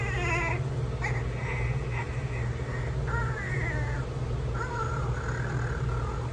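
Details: Amazon parrot mimicking a baby's crying, with drawn-out whining wails and short sobbing bursts over a constant low hum.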